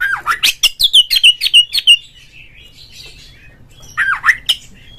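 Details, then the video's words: Provoking lure song of an Oriental magpie-robin for a caged bird: about nine quick, evenly spaced whistled notes dropping in pitch, soft chatter, then a final pair of loud swooping whistles. "suara pancingan burung Kacer agar CEPAT GACOR FULL buka ekor dongkrak EMOSI"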